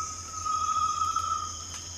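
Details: Great tinamou sounding one smooth, pure whistle lasting about a second, set against a steady shrill insect hum and a low rumble.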